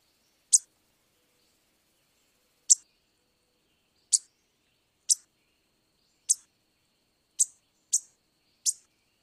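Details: Black-and-white warbler giving single sharp, very high chip notes at irregular intervals, eight in about nine seconds, with silence between them.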